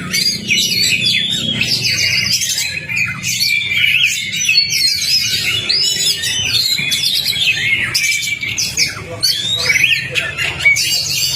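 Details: Magpie-robin master song to coax a silent kacer into singing: over eleven seconds of busy, overlapping whistled slurs, trills and chattering bursts, rising in intensity at times, with faint low hum.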